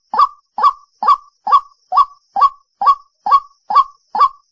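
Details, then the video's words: Lure recording of a white-breasted waterhen: a steady train of clipped, honking 'kwak' calls, roughly two per second and evenly spaced, with no other sounds. "Tiếng Quốc Mồi (Cuốc mồi)"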